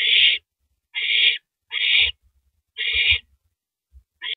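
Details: Owl tearing into and swallowing a large rabbit, 3:33 AM on 9 April 2012, recorded by a live camera. Five long, loud, breathy screeches follow each other quickly, with dull thuds between them.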